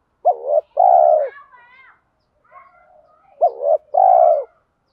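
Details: Spotted dove used as a lure bird, cooing in the "giọng thổ" style mixed with "thúc đấu" challenge calling to draw wild doves in fast: two low phrases, each a short hooked note then a long steady coo, with faint softer notes between.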